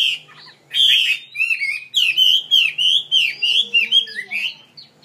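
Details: Kept songbird opening with a harsh burst, then rapid rolling whistled phrases that rise and fall in quick succession. A faint low hum sits in the background.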